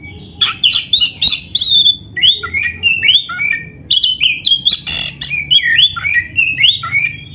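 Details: Black-breasted oriental magpie-robin used as a master song to make caged birds sing loudly; a continuous rapid run of varied whistles and harsh buzzy notes, rising and falling phrases packed close together throughout.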